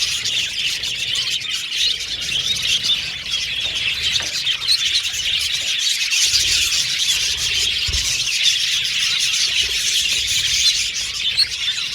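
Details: A budgerigar colony in an aviary, birds singing and chirping; steady high twittering from many parakeets at once, an unbroken wash of warbled notes with faint low rumble beneath.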